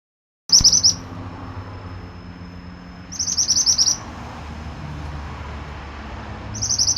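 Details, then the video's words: Pied bushchat recorded as a training song for other songbirds, singing actively: three short bursts of rapid, high, chattering notes, each about a second long and a few seconds apart, over a steady low rumble like distant traffic. "Masteran burung Mantenan gacor"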